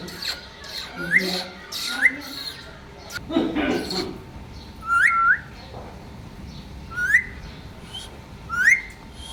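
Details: Pet Indian Ringneck (rose-ringed parakeet), a talking parrot, gives short rising whistles, often doubled, every one to two seconds, mixed with harsh chattering squawks over a steady faint hum.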